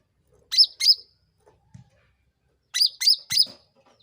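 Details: Pairs and triplets of loud, sharp, hooked chirps from a Sooty-headed bulbul, a lure sound meant to trigger other birds to respond, with faint soft taps in the quiet gaps.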